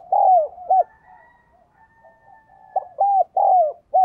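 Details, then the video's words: Captive decoy spotted dove cooing to lure wild doves: a burst of bold, rounded coos with slurred falling ends, a soft murmuring lull, then another quick run of four loud coos. "Chim Cu Mồi Thúc và Gáy Gọi Bổi"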